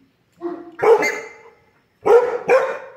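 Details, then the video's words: Buff-necked ibis in Mato Grosso, Brazil, on a farm: a young bird gives loud, harsh, honking calls, one drawn-out nasal note then two quick explosive squawks after a pause; a man speaks Portuguese nearby. "CURICACA EM CANTORIA"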